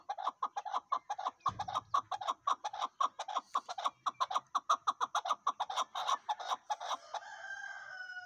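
A chukar partridge gives a long run of clucking chuk notes, about four a second, with a brief thump early on and a faint whistle at the end.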